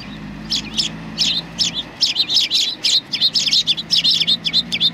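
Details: Sparrows gathering to be fed at a Tenmangu shrine in Japan, 25 November 2020; many birds give rapid overlapping high chirps, short and bright, continuing throughout with a low hum beneath.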